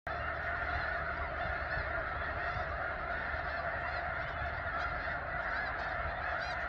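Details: Thousands of snow geese in a large flock at McNary National Wildlife Refuge, Washington, calling together in a dense, continuous wall of overlapping nasal honks with no pauses, with a low rumble underneath.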